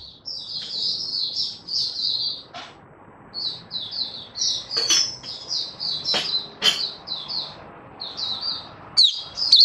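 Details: Caged Malaysian white-eye (mata puteh) in happy open singing in Singapore, weather stable, warm and sunny, 20 March 2023; short, high chirping notes in repeated bursts, with a few sharp knocks and clicks.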